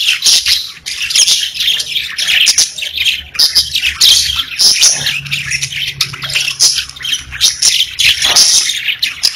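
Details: Pet budgerigars, several parakeets kept indoors, chattering continuously in dense high warbles and squeaky chirps, overlapping notes with short sharp clicks scattered throughout and no pauses.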